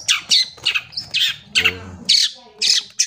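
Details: Long-tailed shrike song used for training young birds: harsh, squawking notes repeated roughly twice a second, mixed with higher chattering phrases.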